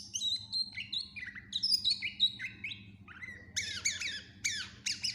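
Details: Greater green leafbird singing energetically in a full, varied "isian" style, suited as a master recording for teaching other birds: rapid series of bright whistled notes, some falling, some slurred, ending in dense high twittering phrases, over faint low hum.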